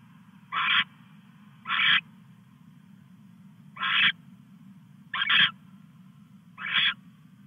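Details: Male owl bringing a mouse to the female, captured on a live camera at 2:34 AM, August 22, 2015. Five short raspy hisses come at irregular intervals of one to two seconds, over a low steady hum.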